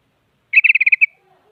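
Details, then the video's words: Rapid string of seven or eight clipped, slightly buzzy notes from an active sooty-headed bulbul used to prompt other bulbuls to sing, ending in a faint low hum. "Suara Burung Kutilang Paling Aktif Memaksa Lawan Agar Bunyi Jadikan Kutilang Ikut Gacor"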